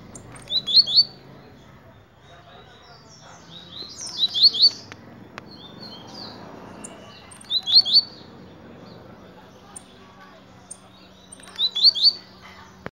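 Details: Tiziu, the blue-black grassquit, repeating a brief high-pitched burst of quick, bright chirps roughly every three to four seconds, four phrases in all, over a low steady background hum.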